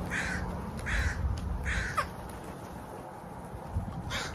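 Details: Crow uttering three drawn-out, raspy caws about three quarters of a second apart, then a fainter fourth caw after a pause, with low rumbling noise throughout.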